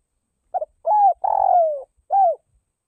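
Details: Northwest Vietnamese spotted dove kept as a calling decoy delivers a full cooing phrase: a brief double note, a rising-falling coo, a long burry descending coo, and a closing rounded coo, with faint low knocks underneath.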